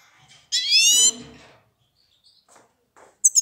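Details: Grey-crowned (Himalayan) goldfinch at Isfara gives one loud, harsh, nasal call lasting about half a second, then a brief high chirp near the end; otherwise quiet.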